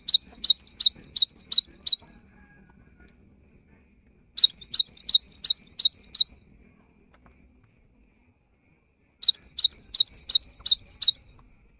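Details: Prolific song of a cinereous tit, played to get silent birds singing: three bursts of six or seven high, upward-swept whistled phrases, each burst about two seconds long, with quiet gaps between.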